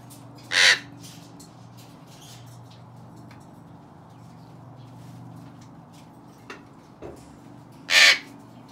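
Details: Parrots at play in an aviary give two loud, raspy, caw-like squawks about seven seconds apart, separated by a steady low background hum and a few faint knocks.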